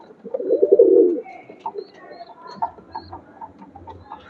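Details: Loft-kept domestic pigeon gives a rolling, low coo of under a second, then quieter scattered clicks and shuffling sounds continue in the background.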